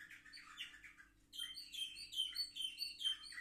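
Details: Seven-month-old canaries on 10 November 2023: a soft warble followed by a pause, then a bright run of high, clear whistled notes in quick succession over a faint hum.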